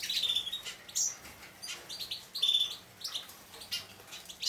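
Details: Juvenile Hooded Siskin x Raza canary hybrids, nine weeks old, bathing; clear high whistled chirps, some drawn out, mixed with repeated bursts of splashing water and fluttering wings.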